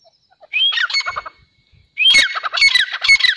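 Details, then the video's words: A pair of grey francolins calling: loud, harsh, squawking phrases with a rising whistled start, given in two bursts about a second and a half apart. "Dakhni Teetar Ka Pair | Teetar Awaz"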